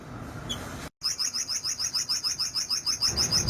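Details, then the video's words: Olive-backed sunbird singing a fast, even, high trill of rapidly repeated notes, roughly three per half second, sustained for over two seconds after a brief break. "Olive Backed Sunbird Singing - Suara Burung Madu Sriganti"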